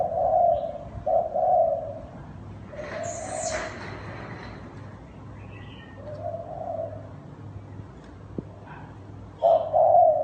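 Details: Spotted dove (cu gáy) cooing in thúc bổi style, low hoots at the start and end with softer coos between, over a steady background hum and a brief higher chirp from another bird.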